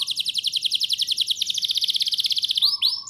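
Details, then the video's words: Canary delivering a dense, very rapid trill of repeated buzzy notes for nearly three seconds, finished by two loud sweeping whistles; recorded to tutor and prompt young canaries to sing. "Pancingan dan Masteran Kenari Gacor Ngotot! Ahlinya Memancing Kenari PAUD Pasti NYAUT"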